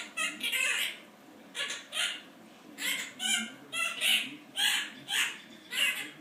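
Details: Indoor male Quaker parrot ranting in imitation of its owner's job complaints, copied from overheard talk; a string of about ten harsh, voice-like syllables with short pauses, rising and falling like spoken phrases.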